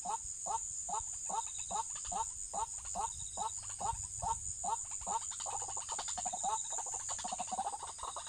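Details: Waterhen heard during trapping, giving a long series of clipped, throaty notes roughly twice a second that grow looser and blur together near the end, with a faint high beeping and a steady whine behind.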